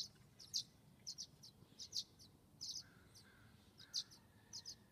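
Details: Violet-green swallows at a nest box on a morning, two 19-day-old nestlings at the entrance hole as a parent makes a quick fly-by to deliver food; sharp high chirps, often doubled, at irregular intervals, with fainter lower notes between.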